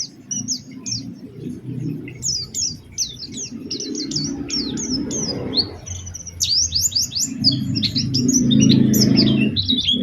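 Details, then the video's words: Lively Oriental white-eye lure song with special phrasing, used to get other white-eyes singing: quick strings of high, sharp chirps and whistled slurs, about three notes a second, with a soft low hum beneath. "Pancingan Burung Pleci Gacor Cengkok Istimewa"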